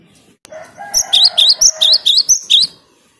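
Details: Cinereous tit (gelatik batu, wingko) singing loudly and clearly: about eight rapid, ringing high double notes, roughly four per second. A lower rough hum lies underneath the first half.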